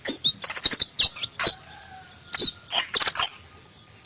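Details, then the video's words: White-eye (Zosterops) in the forest gives quick high twittering bursts, a short quiet gap with faint lower tones, then more bright chirps. "BURUNG PLECI NGALAS"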